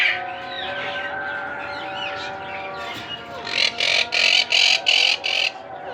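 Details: Monk parakeet; begging call; chicks begging while being fed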